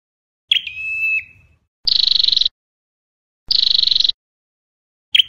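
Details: Flowerpecker song played as a trapping lure: one thin, steady whistled note, then two harsh, rapidly pulsed buzzy trills about a second and a half apart. A third burst begins at the end. The background is silent.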